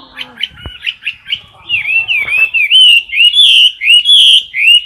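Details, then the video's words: Caged Chinese hwamei filmed close up while it sings in competition style: a series of short rising whistles, then a run of loud, slurred whistled phrases between about two and four kilohertz, each looping up and down. "Mi mơ hót đấu cực "Đỉnh""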